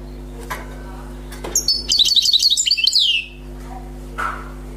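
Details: Recently caught wild European goldfinch singing one brisk phrase of quick, high twittering notes ending in a falling slur, framed by a few soft knocks and a low room hum.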